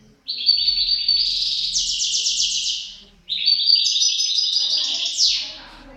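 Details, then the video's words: Pair of European goldfinches: two long phrases of rapid liquid twittering ending in a harsh buzzy trill, about three seconds each, separated by a short gap. "couple chardonneret"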